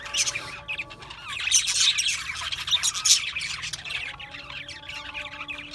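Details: Chattering budgies give fast scratchy chirps and sharp squawks, several birds overlapping, peaking in a loud stretch before fading to softer warbled twitters; a steady faint hum runs beneath.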